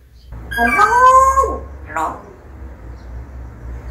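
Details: Pet parrot at home giving one drawn-out, wailing, harmonic-rich cry that rises, holds and falls over about a second, then a short clipped sound; a low steady hum underneath.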